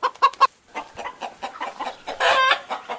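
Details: Chicken giving dense, uneven clucks, a few sharp loud ones at first, then softer overlapping clucking broken by a brief harsh squawk near the end.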